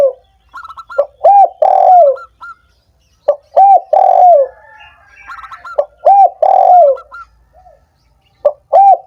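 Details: Spotted dove calls used as a stimulant for doves that are lazy to sing; three rhythmic cooing phrases with a long falling final note, interspersed with thin, high chirps.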